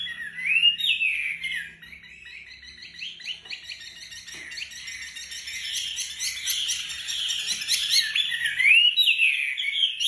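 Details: Wambi singing gacor 'tembakan rapat' as master song for training other songbirds: whistled swoops open and close a fast, crowded stretch of chirping notes at high pitch, loud and sustained over ten seconds.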